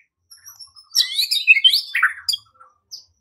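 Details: Short high-pitched white-rumped shama phrase, used to provoke singing and fighting: quiet faint notes building to a loud buzzy twittering burst, then fading.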